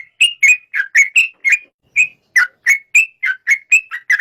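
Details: Yellow-vented bulbul giving a steady series of short, clear whistled notes, roughly four per second, each slightly varied in pitch.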